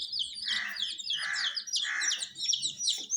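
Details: Dyed baby chicken chicks kept under provided heat, a crowd of thin high peeps sliding down in pitch and overlapping constantly, with three soft hissing bursts about every seven-tenths of a second beneath them.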